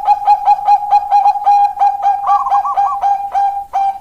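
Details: Steady fast train of short kok notes from a Bangkok zebra dove, with a warbled rise midway, played to encourage lazy doves to sing.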